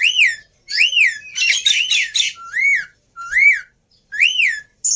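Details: Black-winged myna song used as a lure to provoke other birds into singing: loud, clear arched whistles rising and falling, repeated about once a second, broken by one harsh, buzzy, rasping burst in the middle.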